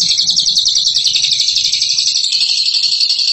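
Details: Bird calling with a dense, high, rapid chatter of buzzy repeated notes, continuous throughout and stepping up in pitch midway.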